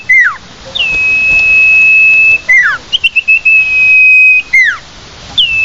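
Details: Common iora lure call: drawn-out flat high whistles separated by quick falling slurs and a brief run of short notes.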